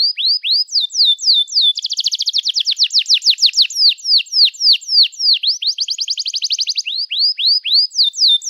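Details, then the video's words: Canary in long, emotional singing offered as a lure for young canaries learning song. Falling whistles give way to a dense rattling trill, then more slurred whistles, a second rapid trill and a closing run of downswept notes. "Kenari Gacor Panjang Cuit Cuit Emosi, Pancingan Kenari Paud Belajar Bunyi, terapi ampuh kenari macet"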